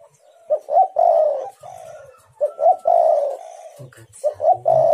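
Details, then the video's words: Loud, close spotted dove coos used as a lure to provoke other doves into calling: repeated phrases of a short rising note followed by a long, slightly falling low coo, with a brief soft knock near the end. "Tekukur super gacor bikin Lawan bunyi nyaut jos jos"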